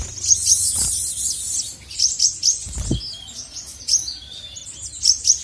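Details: Male sogon, the crested jay, heard calling to provoke rivals: clusters of shrill high chips and buzzy notes in bursts, separated by short pauses, with some soft thumps.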